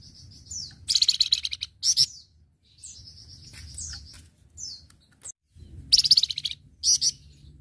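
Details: Flamboyan song meant for training other birds: repeated bursts of fast buzzy trills broken by high thin chirps and short pauses, over a faint low hum.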